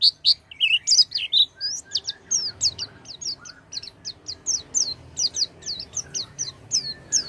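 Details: Oriental white-eye song used as a lure to get a silent white-eye singing. Rapid series of very high, thin whistled slurs, about one or two notes per second, some warbled twitters early on, with faint low background hum.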